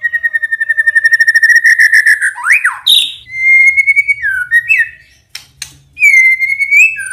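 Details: Murai batu lure song to trigger other shamas to reply, sung in the morning. A long rapid pulsed whistle on one pitch, a sweeping harsh note, then smooth rising and falling whistles and sharp chips.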